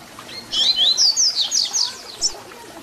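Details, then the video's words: Papa-capim (double-collared seedeater) singing a short phrase of its 'Tui Tui Zel Zel' fibra song, used for tutoring young birds: a loud, smooth string of high whistled slurs rising and falling, ending in a brief sharp note. "Papacapim Tui Tui Zel Zel Canto FIBRA para Encarte!!!"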